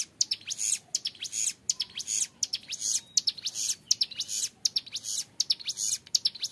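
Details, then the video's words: Long, clear 'ngebren' song of a young hill prinia, dense bursts of thin, buzzy, high chirps pouring out in a steady, regular rhythm. "MASTERAN CIBLEK GUNUNG MUDA GACOR NGEBREN PANJANG SUARA JERNIH"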